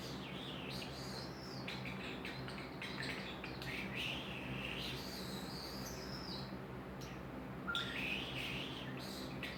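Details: Pet common starling making noise to hear himself, giving rising and falling whistled chirps and clicks, fainter and mixed with low room noise, with a few sharper notes near the end.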